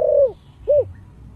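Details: Deep-voiced spotted dove in 'giọng thổ' style: the falling end of a long low coo, then a single short rounded coo, with quiet background hum.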